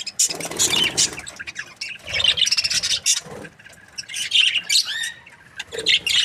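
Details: Happy breeding pair of budgerigars chirping: dense, scratchy warbling chatter with squeaky notes and short rising whistles, loud bursts alternating with softer twittering.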